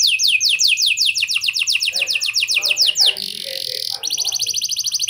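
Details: Domestic canary singing a loud, fast song, used to prompt young canaries to start singing: rapid repeated high descending sweeps, then a buzzy trill and a quicker ticking series; faint low background murmur.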